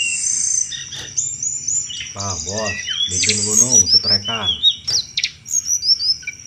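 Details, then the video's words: Sunda robin with vigorous chattering song for luring thrushes: very high whistles and swift twittering, with a lower, harmonic, wavering sound swelling in the middle, then more rapid chatter. "tledekan gunung gacor cetrekan cocok buat mancing segala jenis anis"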